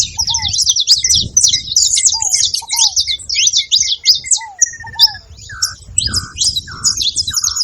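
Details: Saffron finches at a seed feeding spot in Brazil, making noise: a dense, continuous flock chatter of high, rapid chirps. Lower down-slurred whistled notes recur every second or two, and a steady tonal note appears near the end.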